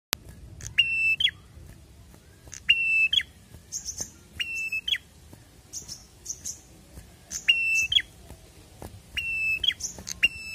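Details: Prinia, called prenjak in Indonesia, delivering loud, sharp whistled phrases roughly every one to two seconds. Most are paired bright notes, interspersed with higher, softer chips, over a faint low background rumble.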